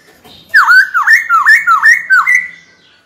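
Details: Captive white-cheeked laughingthrush in training, singing to challenge a rival. It gives a rapid string of five loud, bright whistled notes, each dipping then jumping upward, over about two seconds.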